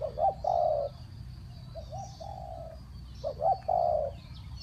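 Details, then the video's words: Spotted dove cooing as a decoy to call down wild birds, in the Thai three-kuk-hoi style: low mellow coos in grouped phrases, short notes leading into a longer held coo, the phrase repeating after about a second and a half's gap. "เสียงนกเขาใหญ่ 3กุกห้อย เรียกลงกุก2กุก"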